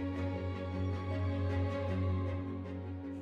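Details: Soft instrumental music with sustained low tones and gentle melodic notes, no animal voice present.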